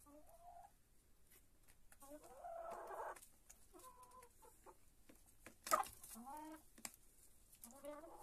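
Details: Hens eating lettuce give a series of short, nasal, harmonic clucks and rising squawky notes, some quick and stuttering, with light pecking and rustling between calls.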